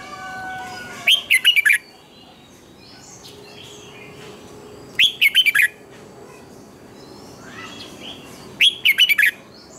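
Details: Red-whiskered bulbul song for training birds, with double twisted notes, sung in the morning: three short bursts of rapid, bubbling whistles, each about three-quarters of a second long and spaced roughly four seconds apart, over a soft background hiss.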